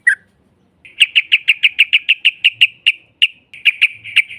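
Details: Yellow-vented bulbul, a lure recording of long rapid 'ropel' singing meant to provoke a rival into answering. A brief opening note, then a fast, evenly spaced run of about seventeen bright, sharp notes lasting over three seconds. The background is quiet.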